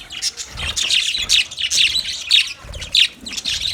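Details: Budgerigars chirping in a colony, a steady run of sharp high twitters repeated about every half second, with soft low thumps beneath.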